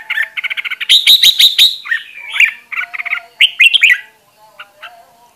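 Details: Caged red-whiskered bulbul being trained as a lure bird: loud, varied song of rapid repeated chirps, bright whistled notes rising and falling, and short trills in quick phrases, ending in softer scattered notes.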